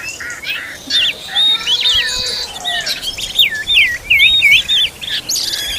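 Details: Parent Oriental magpie-robin feeding its chicks gives wavering, looping whistled notes in repeated short phrases, roughly three per second, amid softer background chatter.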